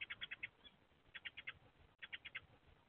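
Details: Eurasian tree sparrow, the resident male on his nest box roof on 6 April 2024, rapidly scolds a young male seeking a nest site: three quick bursts of about five bright, clipped chirps, a second apart, over faint hum.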